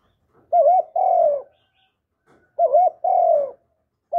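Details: Spotted dove cooing continuously to lure and provoke other doves: a wavering two-note coo followed by a longer, gently falling coo, the pair repeated about every two seconds in a quiet setting.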